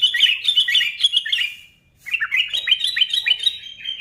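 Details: Chattering song of a sooty-headed bulbul, used to fire up other bulbuls: a rapid string of bright warbled notes that fades into a short pause, then resumes just as fast and busy.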